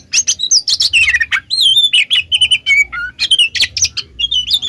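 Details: Oriental magpie-robin song intended as a lure for other magpie-robins: a quick mix of sharp chirps and sweet looping whistles, some notes held level, with a soft low hum in the background.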